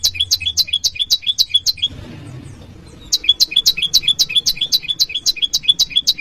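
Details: Bar-winged prinia varied calls, called ciang-ciang locally, challenging rivals and used to attract wild birds or tutor caged ones; rapid double-toned chirps, a pause of about a second and a half, then the rapid chirping resumes.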